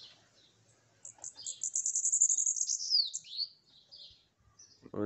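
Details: Bananaquit (sibite) perched on a person's hand delivers a high, hissing, quickly pulsed trill that drops into a few slurred falling notes, then fades; a soft thump of handling noise closes the clip.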